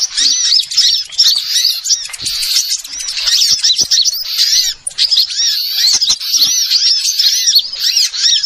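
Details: Small bird sound used as a lure for trapping birds: dense, sharp high-pitched chirps and twittering trills in rapid overlapping bursts, continuous with brief gaps.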